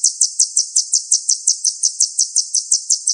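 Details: Sunbird song used as a training recording to stimulate captive songbirds to sing: sharp, high chirps repeated evenly about three times per second, with no other sounds.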